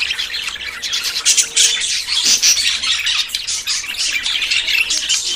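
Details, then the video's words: A group of budgerigars in courtship, ready to breed, keeps up a bright, dense twittering of quick squeaks and chirps, with a few sharper louder notes and a faint low hum. "CON ESTE AUDIO TUS PERIQUITOS SE APAREARÁN"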